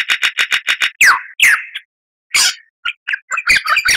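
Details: Lyrebird song meant for cage birds to learn: a fast series of six even chirps, then harsh downward-sweeping squawks and scattered mixed notes, clean and without background noise.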